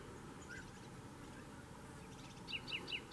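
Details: A Canary Islands chaffinch (Fringilla coelebs canariensis) at Fontanales, Gran Canaria, in June 2017, gives a faint early note, then a quick run of four bright, slightly descending chirps about one every fifth of a second, over a steady low rumble.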